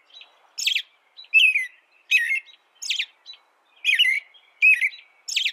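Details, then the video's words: American robin song of rising and falling whistled phrases mixed with higher squeaky notes, delivered in a brisk, slightly uneven rhythm. "American Robin Bird Sound, Bird Song, Bird Call"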